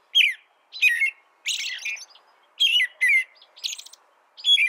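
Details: Whistled, carolling phrases from an American robin, some clear and slurred, others rougher and more chattering, given in separated bursts over about five seconds.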